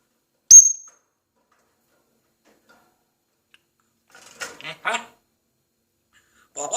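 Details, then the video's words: A talking parrot in Iran that speaks Farsi opens with one sharp, high whistle. After a pause it utters a few quick, raspy, speech-like syllables, and another starts right at the end. "Best Talking Parrot"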